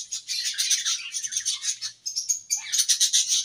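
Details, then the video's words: Budgerigars at play give a rapid, chattering warble of bright, high chirps, pulsing quickly. There is a brief lull near the midpoint, then the cheerful twittering resumes, and a soft low hum sits underneath. "Budgies Singing and Chirping"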